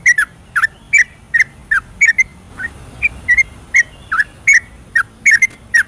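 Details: Yellow-vented bulbul singing after dark in ropelan style, intended to stimulate reluctant birds: loud bubbly whistled notes in pairs, a brief softer, quieter stretch midway, then the lively notes resume.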